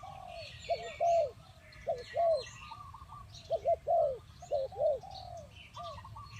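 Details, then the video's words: Decoy spotted dove kept to lure wild birds into a trap, cooing in doubled and tripled rounded notes, each phrase about a second apart. Faint twittering of small birds sits above. "The Sound of Spotted dove"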